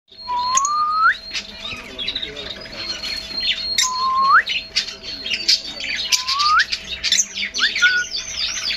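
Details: White-fronted amazon parrot in Asturias, Spain: loud rising whistled calls, each sliding upward and repeated about every three seconds, over dense high chattering and chirping from other birds and a steady low hum.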